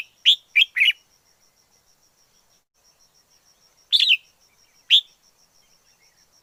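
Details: Red-whiskered bulbul in the wild: a quick three-note whistled phrase, then a long silence before two more single bright notes, with a faint steady high tone throughout.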